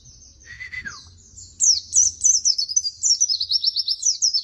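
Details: Pleci white-eye song recorded as training material: a brief level whistle gives way to a lively burst of very high, fast, jerky twittering phrases, each note repeated in quick succession.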